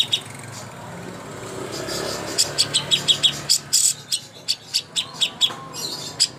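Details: Greater green leafbird master song for competitions, starting quietly over background rumble, then a lively sequence of high, clipped chirps spaced about every third of a second.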